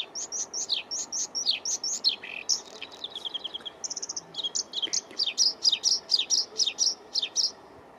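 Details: Bluethroat singing a spring trill: loud, high varied phrases of downslurred whistles and buzzy notes, then a run of rapid clipped repeated elements, about two notes per second, with quiet low background.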